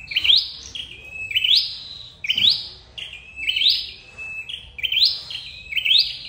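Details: Red-headed flowerpecker call used as a lure for bird trapping: high, bright whistled phrases that sweep upward, then hold a steady thin tone. Six phrases, roughly one per second, over faint low background hum.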